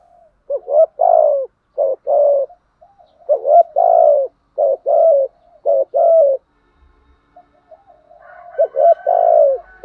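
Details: Spotted dove, male and female birds, cooing in the urging style used to stimulate caged birds in training: a run of low, mellow multi-note coo phrases with slightly trembling notes, a brief pause, then another phrase.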